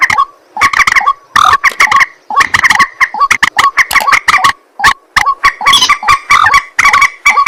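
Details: At night, a white-breasted waterhen keeps up a continuous, loud chorus of harsh croaking and clucking notes with ringing, upturned tones, delivered rapidly with only short breaks.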